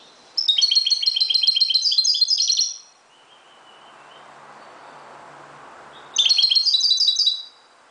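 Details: Dawn song of a Moroccan European goldfinch: a long, fast, tinkling and buzzy twittered phrase, a quiet gap with a faint thin whistle, then another rapid bright burst.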